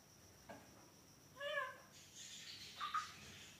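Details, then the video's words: A talking pet ringneck (rose-ringed parakeet) gives a short, nasal, word-like utterance, then two brief clipped notes, over a faint steady high hiss. "Ringneck Talking parrot"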